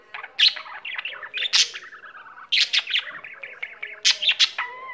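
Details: A pet budgie warbles on and on, loud squeaky chirps and dry clicks in bursts, a gentle run of soft repeated notes in between, ending on a short steady whistle.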